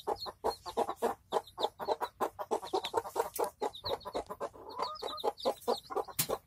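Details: Village hen and her chicks: dense, slightly uneven low clucking runs continuously, overlaid with frequent high, thin peeping from the chicks and a sharp click near the end.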